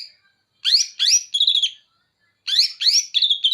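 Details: Greater green leafbird from Banyuwangi using bearded bulbul song material: paired rising buzzy sweeps followed by a rattling trill, the phrase given twice with a short silence between.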